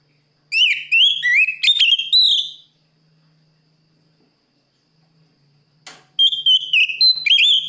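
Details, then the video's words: Loud, clear oriental magpie-robin (kacer) song meant to call out a rival: whistled sliding notes in a rapid sequence, a pause, then a second whistled phrase with a sharp click between; faint low hum underneath. "suara burung Kacer gacor plong memangil lawan"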